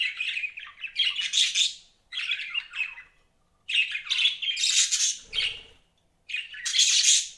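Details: Pet budgerigars chirping in bursts of busy, scratchy warbles and squawky notes, several phrases separated by short pauses, with a brief low thump near the middle.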